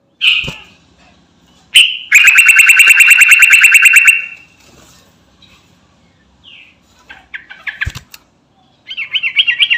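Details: Sooty-headed bulbul calling companions, a lure call: a long, very fast, buzzy rattle of repeated notes, surrounded by knocks, brief chirps, and a wavering trill at the end.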